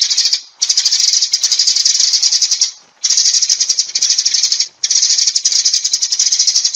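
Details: Sparrow flock call, long stretches of dense, shrill chirping chatter split by three short silences.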